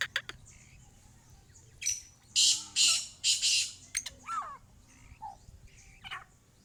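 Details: Female black francolin giving a run of four loud, harsh, grating bursts in quick succession, followed by thin sweeping chirps and a low rumbling background.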